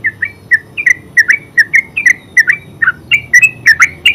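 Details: Yellow-vented bulbul in full ngeropel song: steady, rapid chirped notes, rising and falling slightly in pitch, about four per second, clear and loud against a faint background hum.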